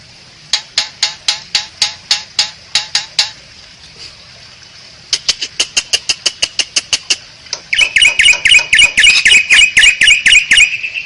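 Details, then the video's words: Asian pied starling tutor recording used as a lure to draw birds into song: runs of sharp, clicking notes about four per second, a brief pause, another run, then loud, dense, harsh chattering with whistled tones. "PANCINGAN SUARA BURUNG JALAK SUREN, MASTERAN JALAK SUREN"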